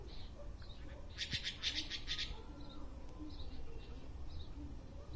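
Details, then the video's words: A red-billed blue magpie singing on a tree gives a burst of harsh, rapid, high notes lasting about a second, with softer calls before and after over a low background rumble. "Red-billed blue magpie bird singing"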